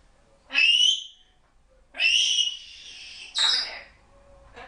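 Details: Young female African grey parrot, kept at home and not yet one year old, vocalizing while chatting: three loud, high, harsh squawk-like bursts about a second apart, the second one drawn out, with soft human voices around it.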